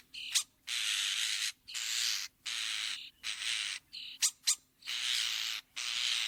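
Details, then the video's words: Common starling (Sturnus vulgaris) delivering a string of harsh, wheezy rasps, each under a second, broken by quick sharp clicks and thin squeaky whistles. "Som de Estorninho / Sturnus vulgaris"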